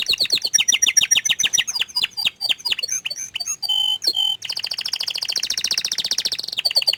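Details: A canary that stays shy and hidden sings fast, varied trills: sharp descending chirps, then clicking rolls and a long buzzy high tour. The phrases change every second or two, with no other sounds.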